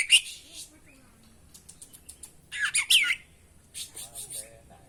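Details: Oriental magpie-robin song used as a training lure for caged birds: scattered sharp high chirps and a dense burst of harsh rasping notes near the middle, with short pauses between phrases.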